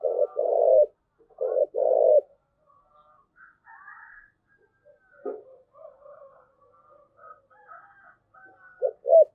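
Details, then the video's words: Spotted dove giving thúc gù coos: two low phrases of a short note then a long hoarse coo open the recording, followed by faint scattered chirps and a final short double coo. "cu gáy thúc gù"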